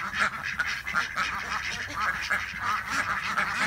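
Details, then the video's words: A farm flock of about 26 ducks in Chile, out together, in a dense overlapping chorus of nasal, harsh quacks every fraction of a second, with a person's voice faintly mixed in. "Quacking and Laughing Ducks!"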